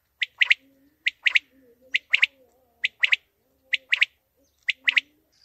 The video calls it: lawa batair sound || quail sound